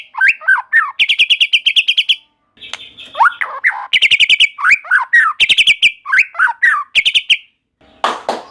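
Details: A white-rumped shama sings vigorously, a song said to make other shamas join in: fast rattling high trills alternate with down-slurred whistled flourishes, one rising whistle mid-way, and a brief noisy rustle near the end.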